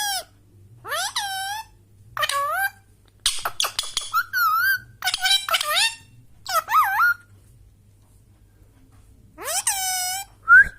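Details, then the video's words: Natural whistling from an Indian Ringneck parrot: a run of short, rich, harmonic calls, several rising then wavering, in clustered bursts, then a long quiet gap before two final rising calls. "Parrot Natural whistle Sound"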